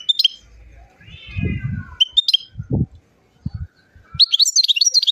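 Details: Singing European goldfinch from Chouala, Mendes district, Relizane province, Algeria: quick high twittered phrases at the start, then a denser run of bright chattering notes at the end, separated by low rumbling sounds and a soft drawn-out wavering note.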